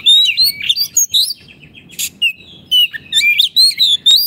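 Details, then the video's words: Oriental magpie-robin in full, lively song, used as a tutor for caged birds that have stopped singing: rich whistled phrases sliding up and down, mixed with sharp clicking chips in quick bursts, over a low steady hum. "Terapi Kicauan Kacer Gacor pas untuk masteran Kacer macet bunyi"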